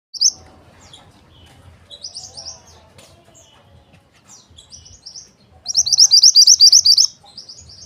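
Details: Mountain white-eye calling to lure males: bursts of rapid, high chirping notes repeated about four times a second, ending in a loud, dense trill of bright chips near the close.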